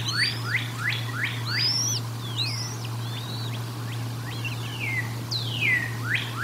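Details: Bald eagles feeding at the Decorah North nest, 04/01/2022: loud, rapid, descending high chirps in a chattering run, then sparser sliding whistles and a final strong downward squeal, with a low hum throughout.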